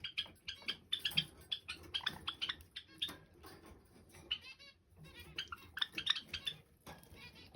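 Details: Two male Java sparrows, a parent and offspring, dance and sing a duet in a rapid run of high, bell-like clicks and chirps, their bursts overlapping in quick succession, with brief pauses between phrases.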